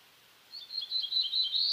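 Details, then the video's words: Black-throated blue warbler song: a run of buzzy, wavering notes high in pitch that build in loudness and end on a stronger, rising buzz, over faint steady background hiss. "Black-throated Blue Warbler Song"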